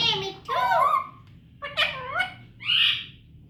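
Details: Baby parrot uttering speech-like wavering syllables in two phrases, ending with a rough, hissy squawk.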